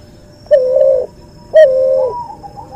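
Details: Two level, drawn-out coos from a cuhu dove, a cross between a white albino puter and a puter pelung, each lasting about half a second with a short sharp onset, and a quieter wavering note after.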